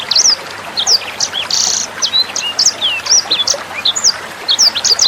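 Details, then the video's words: Sanger bird singing on a training track for young songbirds. High, clear twittering notes and quick whistled slurs repeat in short clusters, with a brief buzzy burst early on and light water trickling in the background. "SUARA MASTERAN BURUNG SANGER NEMBAK JERNIH"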